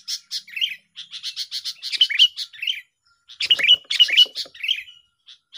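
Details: Duelling song of sooty-headed bulbuls, used for luring birds into traps: quick chirps and short rising whistled slurs repeated in lively bursts.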